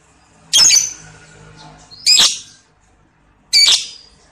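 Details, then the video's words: Lovebird giving long ngekek ngetik calls as a lure: three loud, shrill, rasping squawk bursts spaced about one and a half seconds apart, each quickly fading, over quiet background hum. "Pancingan - Love Bird Ngekek Ngetik Panjang"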